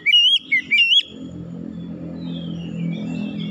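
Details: Oriental magpie-robin (kacer) lure song: three loud, rich whistled phrases that swoop up and down within a second, then fainter high whistles over a steady low rumble.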